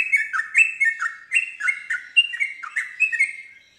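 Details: Rapid song of a yellow-vented bulbul that was prompted to reply to another bulbul. Bright whistled notes drop in pitch one after another in a quick, lively chain that trails off near the end.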